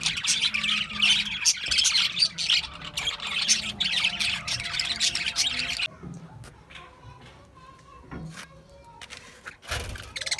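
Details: Australian budgies in dense twittering chatter for about six seconds, then the flock noise drops to scattered single chirps and squawks.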